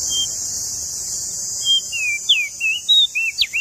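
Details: Lombok tailorbird in full song: spaced high whistles, then a quickening run of slurred and sharply falling notes over a constant high-pitched hiss.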